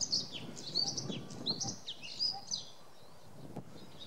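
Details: Bluethroat in the Volga region, Russia, April 2017: a varied run of high, thin chirps and short whistled slurs, some rising and some falling, delivered in quick bursts over a low rustling background.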